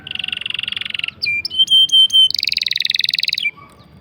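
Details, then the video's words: Canary long rolling song for tutoring young or non-singing canaries: a fast pulsed roll, short whistled notes, four sustained pure whistles, then a rapid buzzy trill fading out. "CUIT CUIT NGEROL PANJANG. COCOK UNTUK MASTERAN MAUPUN PANCINGAN BURUNG KENARI MACET ATAUPUN PAUD"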